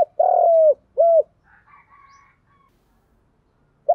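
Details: Decoy spotted dove calling to provoke males: the end of a phrase with a long, falling low coo and a rounded final note. Faint higher, thinner calls follow, then a new coo begins.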